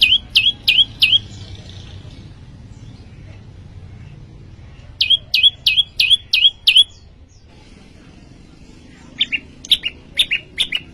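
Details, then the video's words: Bursts of rapid, sharp, high chirps from a persistently singing prinia, four to six notes per burst, separated by quiet gaps. The last burst has doubled notes. "prenjak lumut gacor"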